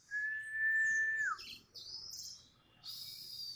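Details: Orange-headed thrush, a reluctant singer, answering a lure: a long steady whistled note that drops sharply at the end, followed by high thin sliding notes and a closing burst of bright twitter.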